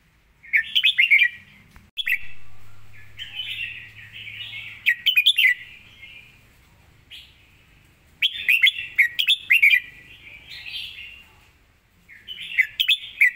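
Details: Red-whiskered bulbul with a well-phrased, clear and quick song, repeating loud bursts of rapid chirped notes separated by softer warbled passages and short pauses.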